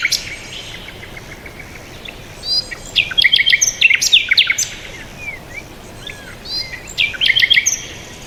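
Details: Birds chirping: bursts of high, quick whistled and twittering notes, with short rising and falling phrases from about 2.5 to 4.5 seconds and again near 7 seconds, over a soft steady background hiss.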